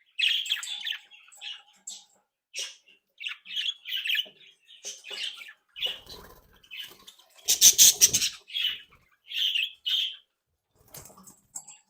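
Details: Captive budgerigar flock bred at home, active and playful, chattering continuously: rapid scratchy chirps and warbles repeated several times a second, with a brief burst of wing flapping midway.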